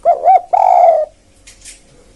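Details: Low, mellow coos of a spotted dove used for luring wild birds: two short arched notes and a long rolling coo, then a faint rustle.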